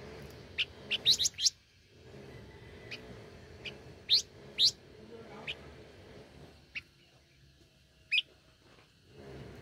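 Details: Tame blue-winged minla giving short, sharp, high chirps, a quick cluster of four or five near the start, then single notes and pairs spaced a second or more apart, over a soft low hum.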